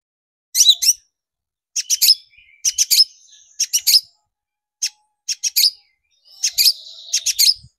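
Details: Lure recording of a long-tailed shrike to spur shrikes into song: clusters of two to four sharp, scratchy notes repeated roughly every second, with thin whistles and buzzy tones filling some gaps.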